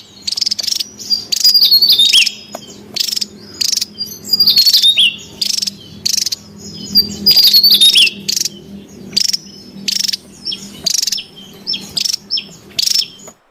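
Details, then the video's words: Noisy Javan tesia in the wild, sound used for luring and training birds: rapid series of scratchy buzzy bursts with high, thin whistles and squeaky twittering phrases woven between them. "SUARA PIKAT DAN MASTERAN TESIA JAWA RIBUT DI ALAM LIAR"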